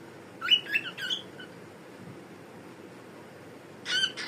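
A cockatiel gives short, raspy, speech-like chatter and squawks in two brief bursts.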